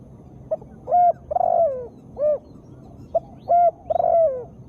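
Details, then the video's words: Female spotted dove, a call recording meant to stir lazy cage birds into singing: soft, mellow coos in two short phrases, each a couple of quick clipped notes leading into a longer falling, drawn-out coo, over a faint low steady hum. "Tekukur gacor suara betina"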